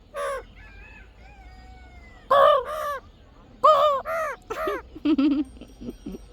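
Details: Pet parrot imitating a crow while its owner praises it and asks again: a brief caw, a thin whistled tone, then four harsh nasal caws in quick sequence and some low chattering notes at the end.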